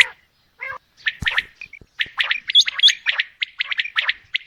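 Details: Calls of a female common quail: after a few scattered notes, quick runs of harsh, clipped chirps speed up into a dense, steady chatter.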